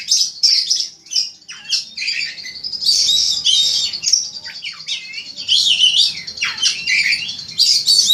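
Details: Ngobra-style poci kacer (Oriental magpie-robin), its song a master for bird contests: long, loud, varied medley of high squeaky whistles, scratchy chatter and swooping downslurs in rapid bursts with short gaps.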